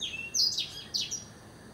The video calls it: Blackthroat Singing